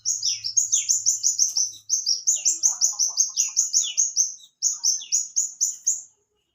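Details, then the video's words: Wild hummingbird in full song: rapid strings of thin, high, down-slurred whistles, each phrase of several notes separated by brief gaps, with faint lower twitters in a quiet background. "Burung Kelibri Gacor di Alam Liar"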